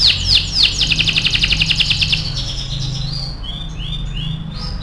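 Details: Canary, AF type, in 'gacor' tutoring song: a few sweeping notes open into a quick, even trill of sharp repeated chirps, then softer rising whistles as the song fades out over low background hum.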